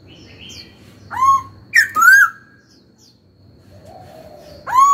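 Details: Pet laughingthrush in training voicing a few sweeping whistles, one rising note then a downslurred pair, with a long drawn-out low whistle near the end and steady low rumble behind.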